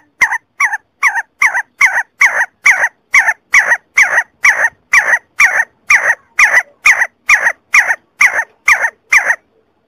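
A See-see partridge gives about twenty short, rasping, whistled notes, evenly repeated at roughly two per second, with no other sounds.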